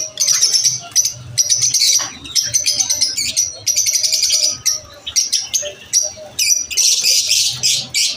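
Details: Lovebirds at lunch time give sharp, high-pitched chirps in quick stuttering runs, interleaved with longer buzzy trills and brief gaps, over a soft low background hum.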